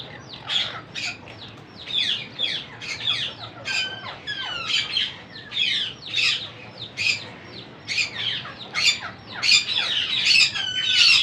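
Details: Monk parakeet chicks begging while being fed: a rapid, irregular series of harsh, raspy squawks, about ninety a minute, mixed with short downslurred chirps, growing louder toward the end.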